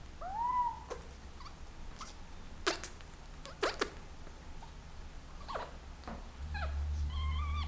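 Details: Breeding-season Senegal parrot kept at home, courting its owner's hand: a rising whistle, sharp clicks and taps, then short repeated piping notes at the end, over background hum.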